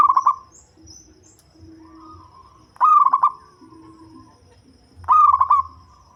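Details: Local zebra dove with a deep, bass voice, suited to luring birds, giving three cooing phrases. Each is a burst of quick stuttered notes, then a short level trailing tone, about every two seconds, over a low steady hum.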